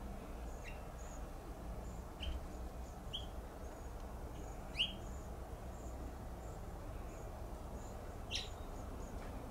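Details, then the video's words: A male House Finch on a flowering plum tree in Pacific Grove, California, gives short, chirpy contact notes every second or two, with a brief buzzy rising call among them, over a steady low background rumble. "House Finch Call"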